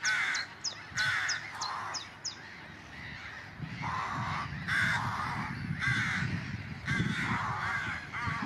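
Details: Several rooks (Corvus frugilegus), around a nest near Meppel, Netherlands, give hoarse, grating overlapping caws at about one a second, with a few thin high chirps early on and a low background rumble.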